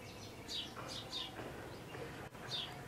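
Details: A female purple sunbird in Lahore Cantt gives thin, high, down-slurred chips, four or five spaced irregularly about half a second apart, over a low background hum.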